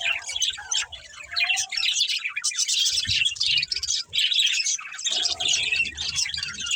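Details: Several budgerigars in a family group, playing and chirping nonstop: a thick mesh of fast, high twittering and short squeaks, briefly dipping quieter near the fourth second, with faint low knocks of movement.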